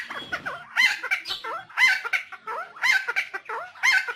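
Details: Helmeted friarbird, a bird endemic to Nusa Tenggara, in a long recording used as a lure and training master. Harsh, nasal, squawking phrases with bending notes repeat roughly once a second, loud and raucous throughout.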